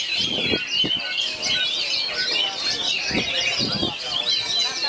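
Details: Oriental magpie-robin among three other magpie-robins, bagong and kerayu singing style: steady high chattering song with sharp whistles, punctuated by several low knocking thuds.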